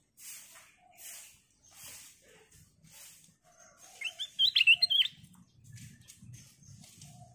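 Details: Golden sooty-headed bulbul singing as a lure for other birds: one brief, loud, bubbly, whistled phrase midway, surrounded by soft rustling and low thumps.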